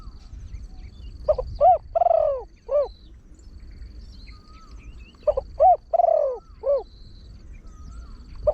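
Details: Trained Spotted Dove with a deep voice, cooing in the 'khan yon 1 kuk' rapid style used to lure wild doves: two phrases of a short note, hollow arched coos and one long drawn coo, repeating about every four seconds.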